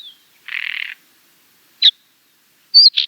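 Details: Finsch's wheatear song, a species of high barren rocky mountain slopes: a harsh scratchy burst about half a second long, then a brief sharp downslurred note and a high whistled phrase ending in a scratchy note, in otherwise clean silence.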